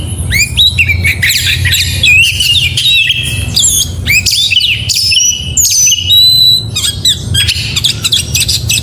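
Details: Oriental magpie-robin in full morning song, a dense rich stream of whistles, trills and harsh slurred notes varying constantly, loud throughout, with a low hum in the background.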